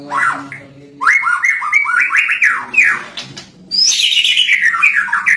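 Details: Lovebird singing cililin filler phrases: loud chattering notes that rise and fall in quick succession, then a high burst sliding down into a dense twittering cascade.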